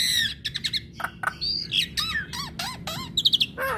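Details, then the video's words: Female Javan myna singing to make other Javan mynas respond at once: a burst of harsh squawks, clicks and sharp whistled notes, some sliding down, with a loud high chattering cluster near the end. "Kicauan Jalak Kebo Betina Bikin Jalak Kebo Yang Dengar Langsung Respon"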